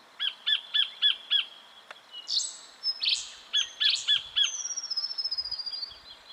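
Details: Black-fronted dotterel, Victoria, Australia, October 2011: a series of short, sharp, evenly spaced high notes, a pause with thin overlapping whistles, then more sharp notes ending in a fast high trill.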